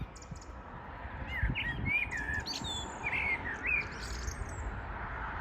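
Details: Birds singing on the morning of 14 June 2022: repeated short whistled and warbled phrases at a lively pace, with thin high chirps, over a steady low-pitched hum.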